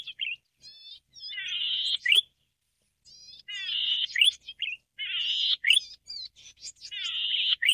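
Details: Golden-headed Cisticola of subspecies volitans singing: drawn-out buzzy wheezes about a second long, each ending in a sharp rising 'lik' note, with thin high chips between phrases and short pauses; otherwise quiet.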